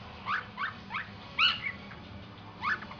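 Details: Pet cockatiel imitating the household dogs' barking: short, hoarse, bark-like bursts with rising harmonic bands, about six spaced unevenly over three seconds, over a low steady background hum.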